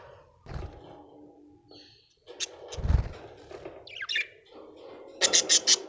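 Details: Happy budgerigar chirping indoors: short bright chirps and a quick buzzy warble near the middle, ending in a burst of four rapid sharp chirps, with low thumps and rustling beneath.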